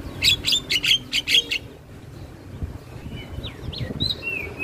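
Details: Black-winged starling song used as training audio for other birds: a burst of six rapid harsh chattering notes, then quieter scattered whistled slurs over a low background rumble.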